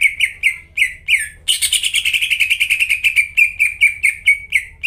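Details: Vigorous greater green leafbird song used as a lure for caged birds that have gone silent: five sharply downslurred whistles, then a long churring trill easing into repeated whistled notes.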